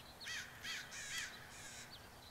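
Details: Early-morning flock of about a hundred crows coming down onto grassland in waves, 3 July 2014; four loud, rasping caws follow one another roughly every half second, with fainter calls from other birds in between.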